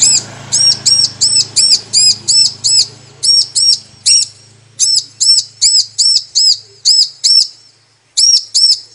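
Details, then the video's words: Bar-winged prinia female calling to a male, played as a lure to make him sing: a fast, steady string of high, thin arched chirps, nearly three per second, a brief gap, then two more, over a low background hum. "Ciblek Betina Memanggil Jantan || Suara Pancingan Ciblek agar Gacor"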